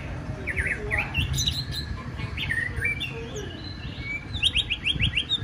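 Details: A white-rumped shama being prepared for a song contest gives quick rising whistles and varied chirps, ending in a rapid run of repeated sharp notes. Low rumbling background noise is present.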